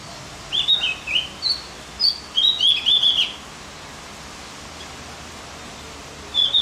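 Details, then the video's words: Javan grey-throated white-eye song used to fire up other birds: a quick tumbling series of high twittering notes for about three seconds, a pause, then one more brief chirping burst. "Masteran buat burung OPIOR JAWA agar tambah emosi"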